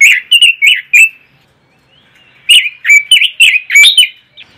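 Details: Pekin robin giving its ngoceh chattering song: a burst of four quick warbled notes, a pause of about a second, then a faster string of bright, slurred whistles and sharp ticks.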